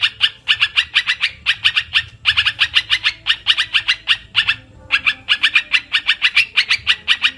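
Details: Olive-winged bulbul lure call used for bird trapping: rapid harsh chattering notes in fast runs, split by short pauses near two and nearly five seconds, with faint low hum beneath.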